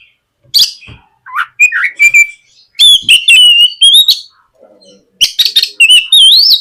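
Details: White-rumped shama used as a morning lure for a young bird: chips and low whistles building into loud, sustained whistled phrases with rapid chips, then wavering rising whistles.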